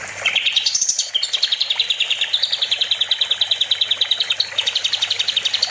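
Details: Kapas tembak bulbul recorded as a songbird-training master: a rising whistled opening gives way to a long, rapid, evenly pulsed trill of about 200 notes per minute.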